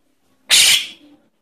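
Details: A Javan myna chick, used as a lure call to attract adult mynas, gives one harsh, hissing rasp lasting about a third of a second, high and noisy, trailing off into a fainter scratch.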